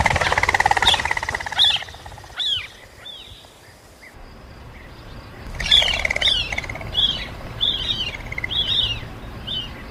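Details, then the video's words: Quail calls: a series of sharp, downslurred chirps, some with a lower buzzy layer, spaced roughly every half second after an opening burst of dense, harsh calling. "Quail sounds"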